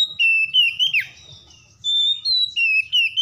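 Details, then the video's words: Oriental magpie-robin, stressed and provoked into singing: continuous rich whistled song of sliding, wavering notes with a downward swoop near one second, then a run of short clear whistles, over faint low rumble. "KACER SETRES MALAS BUNYI TERPANCING LANGSUNG GACOR"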